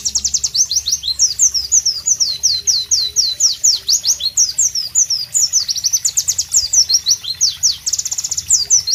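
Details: Energetic, clear singing of a White-eye, called Pleci, in tropical surroundings: an unbroken, fast sequence of high, thin, up-and-down sweeping notes with short trills, loud throughout.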